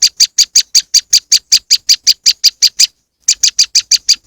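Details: Moss wren lure recording: loud, staccato chips given rapidly at an even pace, about six per second, stopping for nearly half a second before the series resumes.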